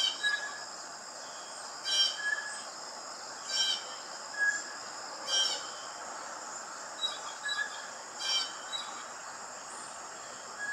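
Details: Rough, scratchy blue jay calls every one to two seconds, some fainter and shorter, against continuous high-pitched insect buzzing.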